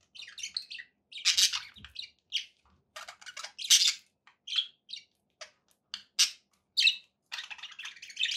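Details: Domestic budgerigars, kept as pets, in lively chatter: bright chirps and harsh squawky bursts come in quick clusters with short breaks, loud and high-pitched throughout.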